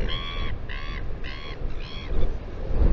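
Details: Royal albatross at the breeding colony on Taiaroa Head, New Zealand, on a live camera: four evenly spaced, half-second braying notes in quick succession, rich in overtones, then gusty wind noise.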